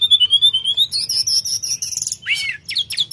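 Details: Sooty-headed bulbul singing steadily: a long rising whistle, then rapid high bright notes and a downward-curving slurred phrase, followed by quick sharp chips, with a low steady hum underneath.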